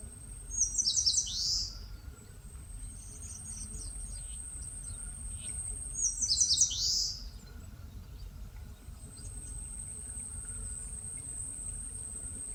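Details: Forest on Palbongsan, Seosan, Korea, with an Eastern crowned warbler repeating its song about every five seconds: a burst of high, clipped notes ending in a falling buzz; a continuous thin high whine and low rumble sit underneath.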